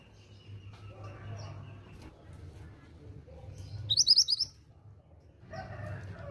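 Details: Female pied bushchat, calling to draw replies from males, gives one clipped series of about six rapid high chirps amid soft background rumble and faint sounds.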